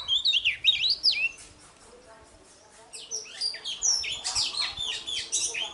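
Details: Oriental magpie-robin fighting song in the morning, used to stir others to sing: swooping whistled notes, a quiet gap, then a dense, slightly distant jumble of overlapping chirps and whistles.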